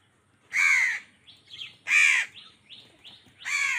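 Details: Angry crow in a food fight with wild birds: three loud, rasping caws about one and a half seconds apart, separated by short, high chirps from smaller birds.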